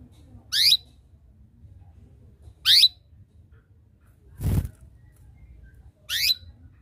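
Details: Chirping canary calling to provoke a rival to sing; three brief, bright rising chirps about two seconds apart, interrupted once by a dull knock.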